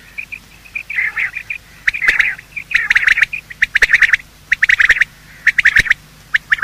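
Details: Quail, male and female, calling in the morning, a sound used for hunting: dense clusters of high, sharp notes and buzzy bursts, repeated in uneven groups with short gaps.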